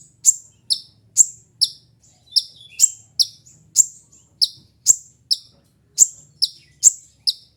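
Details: Steady series of loud, shrill chip calls from a sunbird, about two per second with slightly uneven spacing, in a quiet setting; intended as lure or tutor audio for songbirds.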